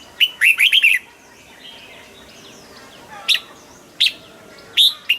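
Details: Red-whiskered bulbul in a cage sings a rapid rolling phrase of liquid whistles, followed by several separate loud single notes spaced under a second apart, soft chirps in the background.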